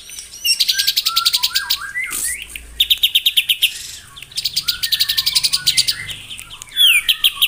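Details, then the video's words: White-rumped shama morning song to provoke rivals: repeated bursts of fast, high chattering notes alternating with short fluty, down-slurred whistles, ending in a sharp rising whistle. "PAGI HARI! 100% AMPUH MENAIKAN EMOSI LAWAN AGAR GACOR & BONGKAR ISIAN ( TEMBAKAN MURAI BATU )"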